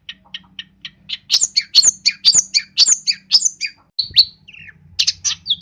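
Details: Long-tailed shrike from East Java, singing busily with many borrowed phrases. Soft ticking notes build into a loud jumble of varied whistles and chirps, followed by a brief rasping descending phrase.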